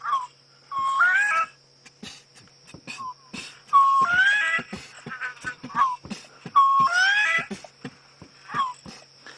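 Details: Bronze-winged courser calling at sunset on a safari drive, 29 June 2016, giving a plaintive, rising whistled phrase three times, about every three seconds, over clicks, a steady insect drone and a low engine hum; the bird then flew off.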